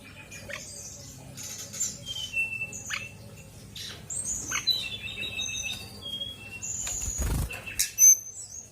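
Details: Female Fulvous-chested jungle flycatcher singing actively: scattered high, thin whistled notes and short slurs, some rising or falling, over a steady hiss of background noise and a brief low thump.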